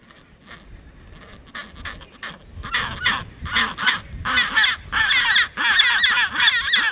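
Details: Chinstrap penguin in Antarctica, on the peninsula or Deception Island, giving harsh, braying calls in a rapid series, each burst longer and louder than the last, over a low murmur of other birds.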